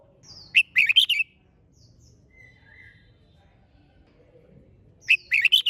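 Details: Red-whiskered bulbul singing in the fiery 'hót xung' style, used to stir other bulbuls into eager singing: two short bursts of rapid, bright warbled notes about four seconds apart, with quiet low background hum between.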